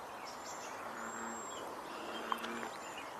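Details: A faint, very high, thin hissing whistle from a Cedar Waxwing, drawn out for about half a second, over steady background noise, low hum and frogs; 15 June 2024.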